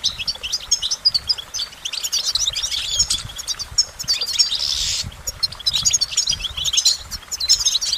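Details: Goldfinch delivering fast, high twittering phrases, interrupted around the fifth second by a short hissing burst, then resuming the bright chatter to the end.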